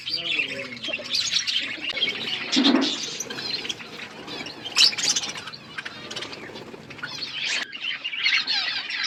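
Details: Flock of budgerigars eating food, possibly in an aviary: continuous warbling chirps and chatter from many birds, with a lower brief note and a few sharp clicks mixed in.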